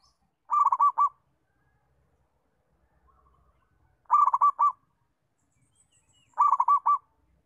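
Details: Zebra dove of local stock singing its settled song, meant for teaching other doves: three bubbling, rolling coo phrases roughly every two to three seconds, each of about five quick notes.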